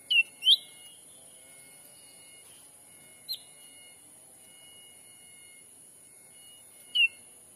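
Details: Wild-bird lure call of the black-capped bulbul in Sumatran forest: a quick pair of whistled notes, a faint isolated note, then one more downslurred whistle several seconds later, over a continuous faint high tone.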